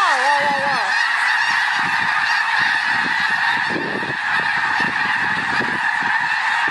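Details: Autumn migration at Reifel Bird Sanctuary, Vancouver, Canada: a huge flock of around ten thousand snow geese calling together, a dense, unbroken roar of nasal, yelping honks overlapping several times a second.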